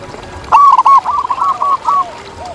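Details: A loud, quick series of purring coos from a local zebra dove outdoors, trailing into a longer run of softer, descending notes.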